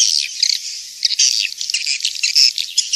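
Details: Swiftlet calls played to attract swiftlets to nesting houses: a dense chorus of high chirping, twittering and buzzy notes, continuous with no pauses.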